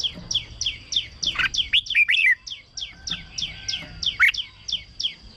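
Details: Caged red-whiskered bulbul song used to stir up other birds: rapid falling chirps repeated about three times a second, broken by a louder tumbling phrase, over a faint steady high tone.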